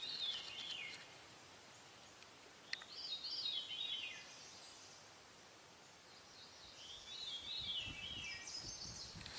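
Great Crested Flycatcher calling: three rolling, wavering phrases a few seconds apart, with a soft outdoor hiss underneath.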